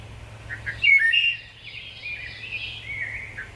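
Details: Wood thrush (Hylocichla mustelina) song: a short, flutelike phrase of clear notes, then a softer trilled, buzzy flourish, with faint background hiss.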